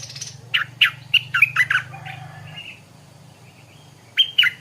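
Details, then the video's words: Stripe-throated bulbul singing in the morning: a run of bright, chattering notes in quick succession, a brief pause with a thin trailing whistle, then another short burst of liquid notes near the end over a low hum. "เสียงนกดอกแตงEp.142 กินกาแฟฟังเสียงนกต่อเจ้าตัวเล็กยามเช้า(Stripe-throated Bulbul)"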